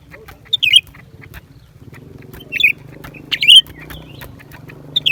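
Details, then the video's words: Lesser green leafbird giving a few loud, slurred whistled notes separated by pauses, over a low droning hum and scattered faint clicks. "เสียงนกเขียวกลาง ปีกสีฟ้า suara cucak ranting"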